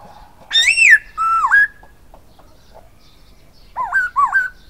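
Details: Silver-eared laughingthrush singing its phrase: a bright descending arched whistle and a lower dipping-rising note. After a quiet gap come two wavy whistles that swing up and down.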